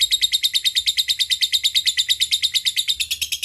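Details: Lovebird calling to companions with a rapid, steady series of sharp high chattering notes, about three per second, continuous throughout.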